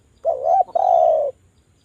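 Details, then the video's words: Spotted dove call used as a lure to make doves sing: one soft wavering coo, a brief break, then a long level rolling coo, mellow and clean against a quiet background. "DERKUKU JAWA Suara merdu TAJAM, pancingan agar BUNYI jadikan burung DERKUKU BUNYI GACOR NGALAS"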